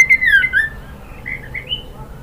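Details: White-rumped shama, a female calling to the male, as used to provoke males into singing: a clear whistled note sliding down, then softer warbled phrases fading, indoors.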